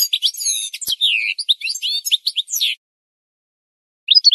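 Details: Bird-training goldfinch song: nearly three seconds of bright, liquid twittering with sweeping slurred notes and a click, then silence, and a few chirps resuming at the end.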